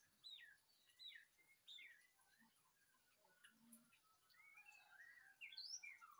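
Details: White-rumped shama song: short, varied, down-slurred whistles, then a busier warbling passage, over faint background hiss.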